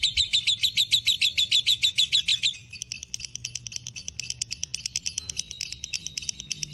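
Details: Lovebird fighter, breeding condition, in long ngekek chatter: loud regular repeated notes for two seconds, then softer, denser rattling chatter continuing.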